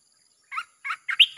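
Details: Red-whiskered bulbul song played as a wild-bird lure, chopping style: three short throaty warbled notes, the last rising into a brighter whistle.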